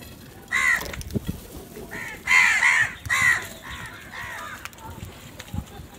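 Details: Morning crow at feeding time giving a series of rasping caws, some single and some in close pairs, with quieter gaps between bursts and faint outdoor background.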